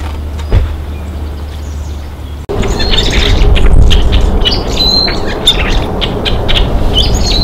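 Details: Rusty blackbirds in winter, wintering in the United States from boreal breeding grounds, give a scatter of brief, high, squeaky chirps and clucks from a flock, over a steady low rumble like distant traffic or wind.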